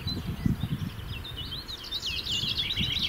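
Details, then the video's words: A male melodious warbler sings a fast, bright babble of twisting high notes, growing busier, from the top of a roadside shrub each morning in the Brenne, central France, over wind rumble; other birds, possibly including black redstart, chaffinch, nightingale and great tit, are faintly audible. "Heldere zang van een orpheusspotvogel"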